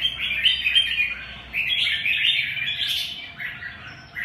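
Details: Red-whiskered bulbul song with quick, chirpy warbled notes, wavering up and down in a steady flowing stream, one sharper higher note near the end, over faint low hum.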